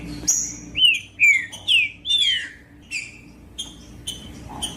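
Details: Green-winged saltator song for warming up a cold bird: a strong phrase of four or five loud, clear downslurred whistles, followed by quieter short notes and clicks.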